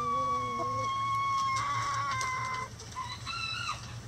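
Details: Rooster crowing among chickens in a coop: a long, steady, hoarse crow held for over two seconds, then shorter broken notes rising at the end. Low steady hum underneath.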